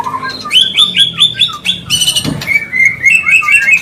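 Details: Breeding-stimulation song of a white-rumped shama: a string of six clear, evenly spaced whistled notes, a brief harsh burst, then steady warbling phrases that rise at the end.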